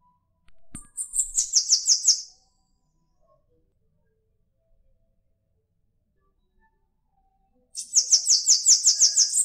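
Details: Bananaquit singing clean and isolated: two bursts of very high, thin, rapid buzzy pulses, about eight to ten notes each, separated by several seconds of silence, with no other sounds.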